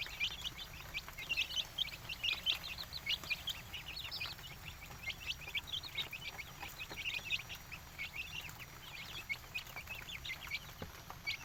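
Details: Indonesian village chickens calling in a busy chorus: many brief high peeps and chirps from several birds, continuing without pause, over a quiet low rumble.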